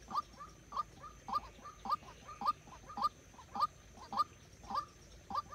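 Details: Trapping-decoy waterhen calls in a regular rhythm, each note short, nasal and sliding upward, about ten notes in five seconds, with quiet background.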